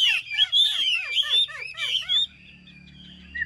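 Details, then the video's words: Kept in a cage in Vietnam, this Chinese hwamei is a strong singer. It gives loud, slurred whistles repeated about every quarter second, falling in pitch, then stops abruptly, leaving a faint hum. "Hm 2896 - Bóng bộ đẹp, lông xanh mắt méo, hót tốt bài bản"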